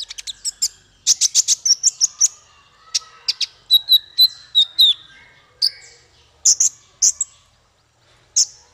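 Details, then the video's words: Male olive-backed sunbird as a songbird tutor: fast clusters of sharp, high ticks, then a brief run of thin sliding whistles, followed by spaced, emphatic chirps separated by short silences. "Suara konin untuk masteran burung"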